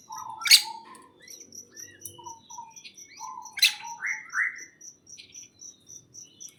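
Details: Birds chirp in a greenhouse, two loud sharp chirps framing low whistles and rising slurred notes, while a fast regular train of high thin ticks runs almost throughout.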